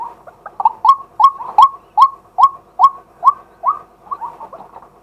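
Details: Male White-breasted waterhen calling in daytime, recorded live with a set camera during decoy luring: a run of hoarse, upward-hooked notes repeated about two to three times per second, loudest in the middle, fading at the end.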